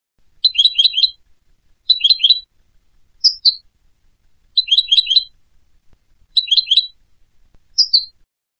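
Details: European goldfinch song in short bursts of rapid tinkling notes, about four notes each, separated by pauses of about a second. The bursts alternate with single slurred, upward-sweeping whistles. Clean recording with no background sounds.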